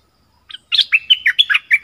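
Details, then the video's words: Phrase from a Thai nok dok taeng recorded in 2020 as a teaching song for young birds: a short lead note, then a quick run of rich warbled chirps that rise and fall in pitch. "เสียงนกดอกแตงเจ้าเพชรกับเจ้ามณี เสียงใหม่ล่าสุด2020ไว้สำหรับต่อ ใช้หัดลูกนกให้ร้องตาม"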